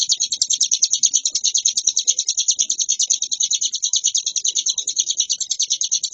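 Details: Hill prinia singing nonstop in a varied ngebren style: a dense, unbroken stream of high, rapid chirping notes pulsing about two to three times per second, with no other clear sounds.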